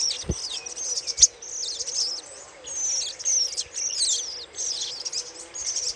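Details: Little spiderhunter chatter recorded as a lure: fast, high twittering in rolling phrases with sweeping chirps, broken by short pauses, plus a couple of sharp clicks near the start.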